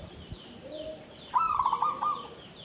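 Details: Caged zebra dove singing in a bamboo cage, klabang kapipit style, tumpang sari, 'klarr kete kuk kuk' pattern: after a quiet start, a burst of mid-pitched purring coos with quick rolled notes, lasting under a second.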